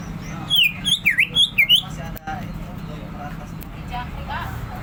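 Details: Ngentrok-style rapid continuous singing by a greater green leafbird: a quick run of about eight loud, clear whistled notes with swooping pitch, then fading into low steady background noise.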